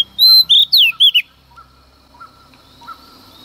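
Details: Female Oriental magpie-robin singing in the early morning to rouse males: a quick burst of five or six loud, clear whistled phrases, some sliding down in pitch, lasting about a second, then near quiet with a few faint short notes.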